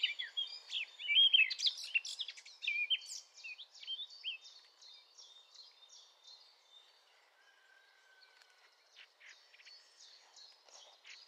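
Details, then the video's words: Male Eurasian blackcap about 30 meters away, recorded from a kitchen window. It sings a varied warbling phrase of fluty and twittering notes for about four seconds, which fades into softer, fainter chatter. "Mönchsgrasmücke - Gesang"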